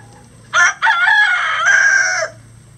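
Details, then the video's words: Close, loud crow from one of at least 20 roosters, standard and bantam breeds, kept on a farm: a sharp first syllable, a brief gap, then a sustained ringing note lasting well over a second before ending abruptly. "20 Roosters Crowing For 20 Minutes | Chicken Sound Effects"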